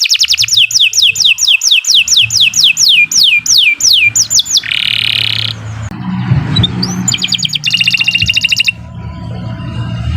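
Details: Canary singing for use as a tutor recording: a series of descending whistled swoops, a short buzzy note, a pause filled with low background noise, then a brisk high trill.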